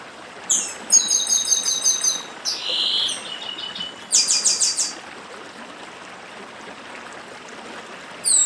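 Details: Papa-arroz do Nordeste, or chestnut-capped blackbird, delivering its 'dedim' song by a stream: a rapid ringing trill of repeated high notes, a raspy buzz, then another pulsed burst, over steady flowing water.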